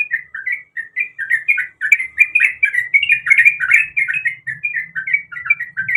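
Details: Female sooty-headed bulbul calling to attract a male, giving a continuous fast run of bright, slurred chirps that rise and fall, with faint low background rumble.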